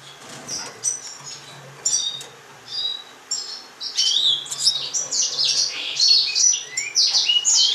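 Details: Gouldian finch calls: a quiet start with soft wing flutters, then a growing stream of short, high, thin chirps and rising squeaky notes that overlap densely in the second half.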